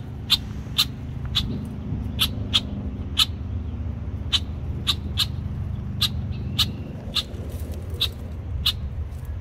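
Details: A male Red-winged Blackbird protecting its nesting area from approaching kayakers gives harsh, dry check notes, about one or two each second, over a steady low rumble of wind or distant traffic.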